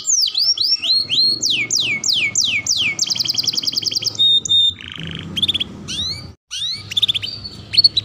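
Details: Training song of a canary for young birds: swooping whistles and steep downward sweeps, a fast bright trill, a buzzy roll, then broken sharp chirps above a low background hum.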